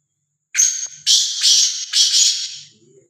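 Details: Black francolin, a free-roaming and fearless kala teetar, calls in a loud, scratchy series: one short rasp followed by three longer grating notes, all high and buzzy, then silence.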